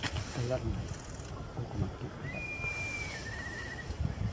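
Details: A northern goshawk at Mizumoto Park on 20 March 2024, resting while gathering nest material, gives a drawn-out, thin whistled wail that drops slightly in pitch partway through, after a person's voice.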